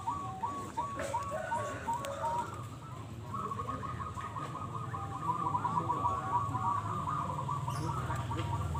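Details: Zebra doves (perkutut) at a local Nusantara singing contest in Bolorejo village, Kalangbret, Tulungagung, East Java, Indonesia, 2022; several birds deliver overlapping series of short, rapid cooing notes in a dense rolling stream over a low background rumble.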